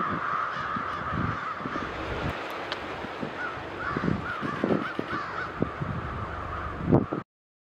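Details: Thousands of American crows at a winter roost in Granby, Quebec, Canada; constant massed cawing blends into a roaring chorus, a few individual caws briefly emerging, low rumbling noise underneath.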